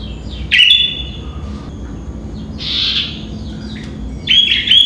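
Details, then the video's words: Sooty-headed bulbul singing in the morning around 5 am: three short bursts of bright, squeaky chirped notes, widely spaced, with quiet low background hum between them. "Burung Kutilang atau Burung Gentilang Berbunyi dan Bernyanyi di Pagi Hari"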